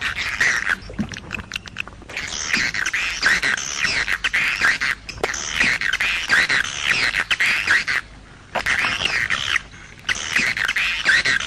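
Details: Edible-nest swiftlet, jaguar style: long stretches of dense, harsh, buzzy twittering chatter, broken by brief gaps around the second and eighth seconds.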